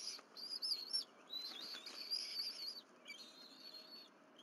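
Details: Bald eagles at a college nest during a morning of two fish deliveries by the mother, with all three eating on the nest; thin, high whistled chitters tumble rapidly for about three seconds, break off briefly, then resume more softly.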